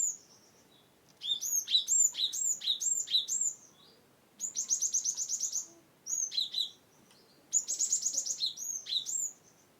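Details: Gelatik Batu, or cinereous tit, from Wonosobo, whose song is used to coax reluctant birds into singing: four bursts of rapid, high, repeated notes, six to ten per burst, with brief quiet gaps.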